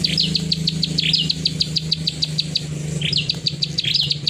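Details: Plain prinia in full clicking song: quick high ticking clicks mixed with short buzzy downslurred notes, less regular than a plain series, over a low steady background hum.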